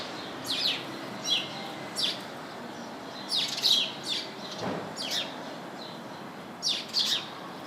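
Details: House sparrows chirping from a bush full of the birds: short, bright, downslurred chirps in scattered bursts, some doubled, over a steady low background hiss.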